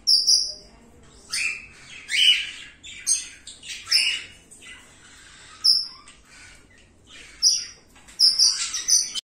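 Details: Indian ringneck parakeets, a new breeding pair of a turquoise blue male and an albino female, giving harsh, loud screeching squawks in short bursts separated by pauses, roughly seven outbursts, some doubled, over quiet background.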